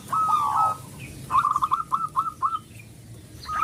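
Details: Local zebra dove with a loud voice, used as a lure for quiet doves: a long whistled note, then a quick run of short rising whistles, with another note starting at the end.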